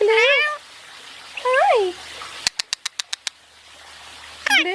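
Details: Pet Indian ringneck parakeet while basking: two harsh rising-falling squawks, then a quick series of six sharp clicks and another squawk at the end, over steady background hiss.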